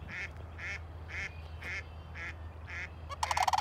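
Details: Sandhill cranes dancing in wetlands: six short, nasal calls at an even pace of about two a second, then a loud, rolling trumpeted call at the end, over a low hum.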